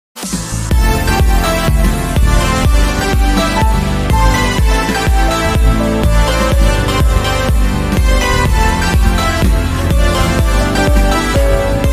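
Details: Steady electronic dance music with a heavy bass beat and layered synth chords; no animal voice comes through.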